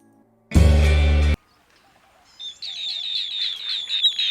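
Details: Asian green bee-eater in Sri Lanka gives a run of quick, high, rolling trilled notes, repeated rapidly, after a loud burst of music.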